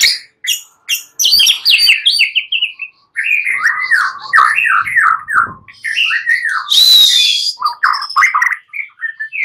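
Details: Night-time song of a white-rumped shama, a rapid, varied string of rich warbled notes rolling downward in quick succession, broken by a harsh noisy burst and sharp ticking notes.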